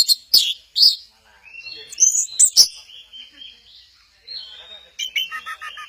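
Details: Orange-headed thrush at Kesamben, performing a 'goyang inul' dance: loud sharp high notes, then thin wavering whistles and a quick chattering flourish at the close.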